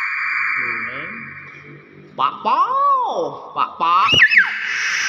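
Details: Common hill myna giving loud harmonic whistled calls: a long arching note that rises then falls, followed by sharper rising notes, voice-like in tone, over a steady hiss.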